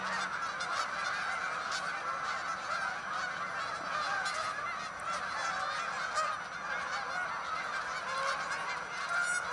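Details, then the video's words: Hundreds of Canada geese lifting into the sky, a continuous mass of overlapping honks with occasional sharper individual calls standing out from the steady chorus. "Look to the sky - Canada Geese"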